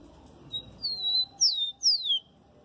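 A Rufous-collared Sparrow sings a brief high phrase: a thin opening note, a level whistle, then two clear whistles sliding sharply downward, over faint background hum.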